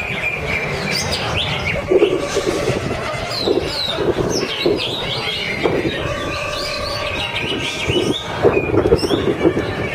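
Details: Greater green leafbird (Chloropsis sonnerati) at a bird-song contest in Bekasi sings rich, varied phrases of whistles and chattering notes, with rapid rising and falling trills over a busy mix of other birds and background noise.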